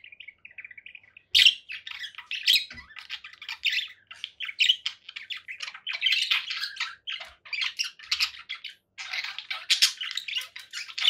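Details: Conure parakeet in a long, busy stream of grating squawks and chatter, beginning with soft repeated chirps before loud harsh calls follow almost continuously.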